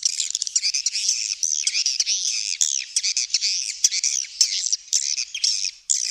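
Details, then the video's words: Dense, shrill chirping of swiftlets, overlapping buzzy twitters with slightly rising and falling notes and a few isolated clicks. "suara walet"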